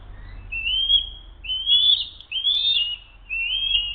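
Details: Eagles at their nest in a brief struggle over food, 07-02-2023, 12:10; four drawn-out high whistled calls, each rising into a level tone, with low hum beneath.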